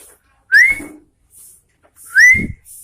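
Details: Sooty-headed bulbul singing vigorously: two loud, clear rising whistles about one and a half seconds apart, with soft hissing between.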